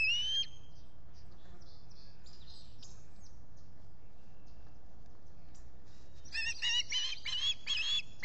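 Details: Osprey squawking at a solar-powered nest camera at Salt Point in the Finger Lakes, US, on a July 2021 morning; after steady background hiss, a rapid series of high, whistled chirps bursts out near the end.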